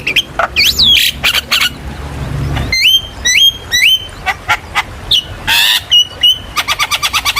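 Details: Lure recording of a Javan myna for prompting young birds to answer: harsh noisy bursts, then sharp rising whistles repeated about every half second, ending in a fast run of clipped chattering notes.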